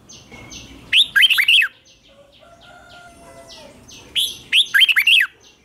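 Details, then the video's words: Morning training song of a red-whiskered bulbul, two loud lilting phrases of four or five looping notes about three seconds apart, with soft chirps and a thin whistle from other birds in between. "Luyện chào mào hót sáng hót hay"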